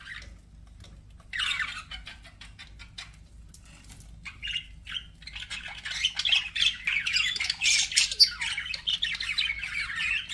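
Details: Budgies start with scattered clicks and a few brief chirps, then break into sustained, fast, scratchy chatter and squeaky warbles that grow louder toward the end.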